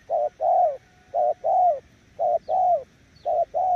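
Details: Cooing spotted dove kept as a decoy: loud clipped note, then a longer coo bending downward at the end. Three such pairs plus the start of a fourth, in a regular rhythm.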